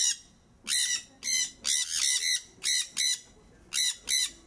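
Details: Sun conures giving loud, high-pitched, harsh, grating screeches in quick bursts, about eight in four seconds, some doubled, with nothing else heard.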